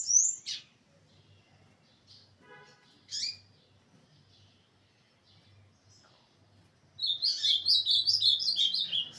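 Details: Ultramarine grosbeak, 21 December 2024: a few isolated sharp call notes separated by quiet pauses, then a burst of rapid, high warbled song at the end.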